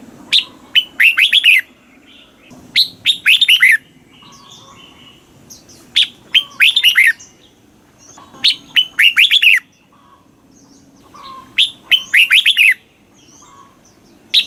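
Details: Red-whiskered bulbul song from Thailand in southern master style, played to stimulate caged birds and teach young ones: short bursts of rich, warbling whistled notes sliding downward, repeated about every three seconds with quiet gaps between.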